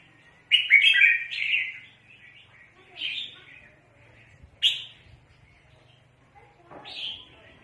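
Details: Red-whiskered bulbul used in bird trapping, with a lively burst of chirpy, cheerful notes, then shorter single squeaky calls spaced a couple of seconds apart over a faint hum.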